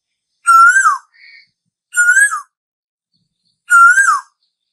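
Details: An Asian koel, named the laziest bird and said to herald summer, repeats a whistled rising-then-falling note three times at intervals of about one and a half seconds. A soft squeak follows the first note.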